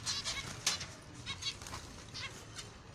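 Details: Finches, kept as pet birds, giving short, high, nasal chirps in quick irregular bursts, several per second, a few with bright ringing overtones, over a steady low background hum.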